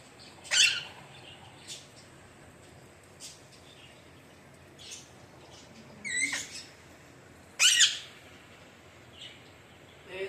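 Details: Alexandrine parakeet giving three loud, harsh, raspy screeches, one early and two close together near the end, with a few faint short chirps between them over a quiet background.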